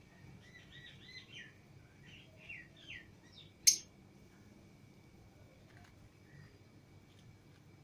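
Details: Lovebirds freed from the cage with other lovebirds, Fischer's and lutino pairs kept at home; soft twittering chirps in quick succession, one sharp loud click-shriek, then faint notes fading out.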